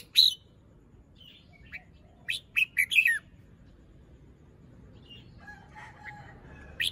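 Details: Morning song of a moulting, fluffed-up Red-whiskered bulbul displaying its phrasing: a sharp opening note, then a cluster of rapid bright chirps, soft twittering after, and a final high note at the end.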